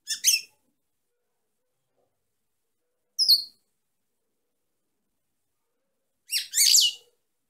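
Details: Female European goldfinch: brief rapid twittering phrases separated by roughly three-second pauses, with a single clear downslurred chirp in between, high and buzzy.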